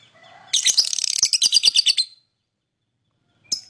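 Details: Lovebird singing and chirping: a dense burst of scratchy, buzzy high chirps lasting about a second and a half, then silence and one short squeak at the end.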